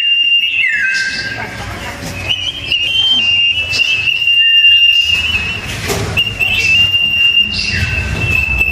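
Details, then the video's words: Sooty-headed bulbul (sirpu) in a fierce song duel between two birds, voice described as loud and dense: long sustained whistled notes, rapid trills and downward slurs, with a faint low rumble beneath. "Burung sirpu‼️duel maut paling seru"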